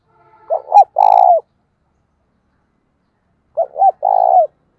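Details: Spotted dove used as a decoy, cooing to lure wild doves: two phrases about three seconds apart, each a pair of short low notes followed by a longer, drawn-out coo, on a quiet background.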